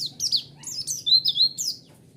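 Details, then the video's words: White-eye song for luring a response: a brief run of high, sweet twittering notes with slurred whistles, delivered quickly in about two seconds. "Pancingan Suara Burung Pleci"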